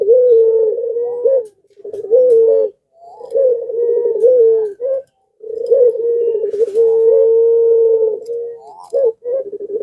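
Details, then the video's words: Barbary dove of the pelung type, in breeding condition, calling keenly and drawing other doves to call back. Series of drawn-out coos with rolled, quavering openings and short gaps, some phrases ending in a small rising note. "BIRAHInya memuncak Lagi Sampe Gacor Ngundang Puter Disekitaran Ikut Gacor jadi rame"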